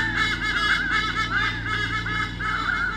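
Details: A white-bellied sea eagle pair, mum and dad, drives off swooping currawongs from their territory, Sydney Olympic Park, Australia, 2013, eagle camera: continuous nasal honking notes, quickly repeated and slightly wavering, with low hum beneath.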